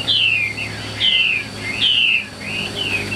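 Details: Chinese hwamei, caged, in 'ngũ trường' song: a loud clear whistle sliding downward, repeated about once a second, each followed by a softer short slurred note.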